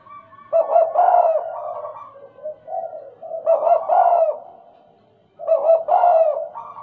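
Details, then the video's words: Spotted dove, tame and stuttering in style, delivers three loud bursts of deep, rounded coos separated by softer trailing notes and a short quiet gap. "Suara tekukur,, gagap jinak dan gaccor"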